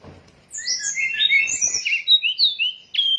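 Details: Sooty-headed bulbul lure sound used to draw in birds for catching: a rapid run of clear, high whistled notes, sliding and warbling up and down, in quick phrases, with faint clicks in the background.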